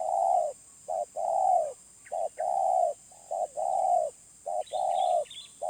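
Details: Wild spotted dove giving a medium-pitched voice: mellow, low hooting coos in pairs, a short note then a long drawn, slightly falling coo, repeated about once a second; faint chirps of other birds higher up and a steady hiss behind.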